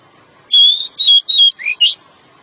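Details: Male pied bushchat singing a long song to lure the female: three loud, pure whistled notes held steady, then two quick rising slurred whistles.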